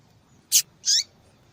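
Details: Female double-collared seedeater calling to stir males into song: a sharp broadband chip, a short pause, then a drawn-out high buzzy note.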